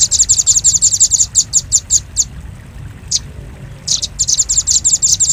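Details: Rapid high chips of a velvet-fronted nuthatch for luring birds, slowing and stopping, a lone note after a pause, then another quick run resumes; faint low background noise.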